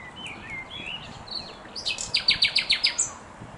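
A common nightingale sings varied whistles, then a rapid run of loud, rich repeated notes.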